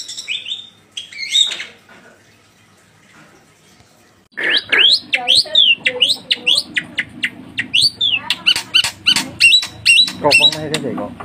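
A Black-winged Starling sings a loud, varied run of sharp whistles, chirps and squeaky notes, after a few opening phrases and a short pause, over faint background hum.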